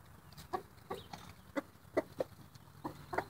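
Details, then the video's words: Roosters making happy noises: soft, separate clucks spaced unevenly, about eight short low notes over three seconds, fairly quiet against a faint background hum. "Roosters making happy noises"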